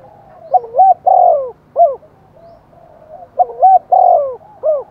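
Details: Spotted dove used as a decoy, cooing tensely and vigorously to provoke wild doves into cooing back: mellow phrases of a short note, a quick double coo and a long falling coo, ending with a brief hooked note, repeated twice.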